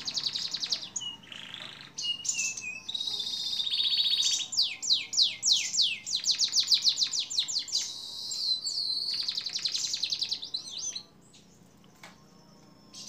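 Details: Canary song meant for training songbirds over a long duration: buzzy sustained trills, then a rapid rattle of sharp descending notes and rolled phrases, ending abruptly in near silence.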